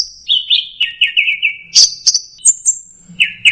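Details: An orange-headed thrush delivers teler song: a quick chain of descending whistled notes, then sharp high chirps and a thin high whistle, the notes coming rapidly with barely any pause.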